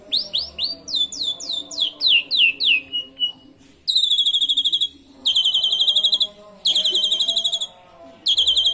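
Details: Asian pied starling singing with canary imitations to set other birds singing: a quick series of falling whistled slurs, then several bursts of fast, even, high-pitched trills about a second long with short breaks.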